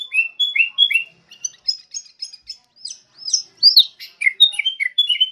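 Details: Wild sooty-headed bulbul singing a quick run of bright, chirpy whistled notes, some rising and some falling, in bursts with short pauses, clear and unbroken with no other sounds.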